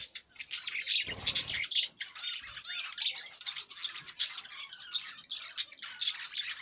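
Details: Budgerigar chattering rapidly and without pause, dense scratchy high chirps with sharp clicks, plus a brief low rustle near the start.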